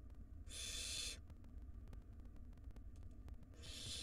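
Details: Barn owl nestling begging at a wild nest box while being fed; one drawn-out hissing screech, a pause with faint ticks and low hum, then another screech starting.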